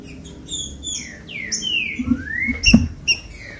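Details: Green-winged saltator song played to excite caged birds into singing: a few short whistled notes, then long sliding whistles rising and falling, broken by a couple of sharp knocking clicks near the end.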